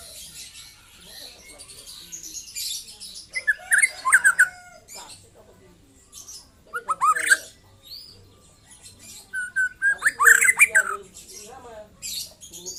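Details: Young white-rumped shama that has moulted out of its speckled juvenile plumage. Three separate bursts of rapid, slurred whistled notes are divided by quieter gaps, and the final burst is the longest and loudest.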